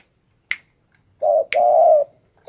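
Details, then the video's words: Spotted dove, a tame bird kept for song contests, giving a soft two-part coo with a brief first note and a long sustained second, framed by sharp isolated clicks roughly a second apart. "SUARA BURUNG Tekukur jinak !MAU IKUT KONTES"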